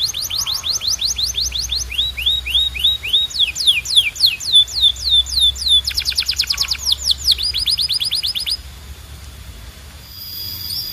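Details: Canary song in varied tours: quick repeated descending whistles, slower drooping notes, a dense rapid trill, then a buzzier rolled passage before fading to quiet near the end.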